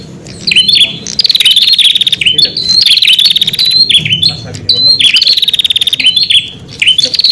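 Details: Luring song of a prinia for calling wild prinias: energetic series of fast buzzy trills, each phrase closing with a sliding drop, repeated steadily with brief pauses between bursts.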